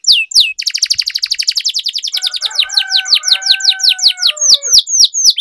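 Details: Training song of a canary: a long rapid roll of high descending notes that gradually slows into separate swooping slurs, with faint lower whistled tones running underneath for a few seconds.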